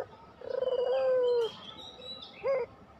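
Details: Spotted dove, puter pelung style, serving as a lure recording to coax doves into song: one long low coo with a trembling opening, then a short hooked note, with thin high whistles from other birds behind.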